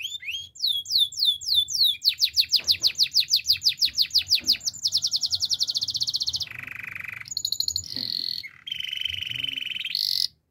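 A Belgian canary sings a long, varied song of rapid rolling trills, fast repeated chirps and sustained high whistled tours, changing pattern every second or two.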